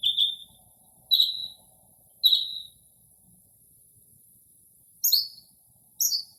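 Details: Northern mockingbird singing at midnight in early spring, copying other birds' calls: single whistled, slightly falling notes about once a second, then higher squeaky upslurred notes, with silent gaps.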